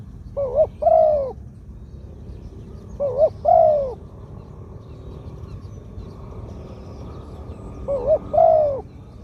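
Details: Medium-voiced spotted dove of decoy quality singing the 'two kuk, khu-aang' pattern. Three two-part coo phrases, a quick wavering note then a longer bowed note, come several seconds apart, with quiet gaps and faint distant chirps.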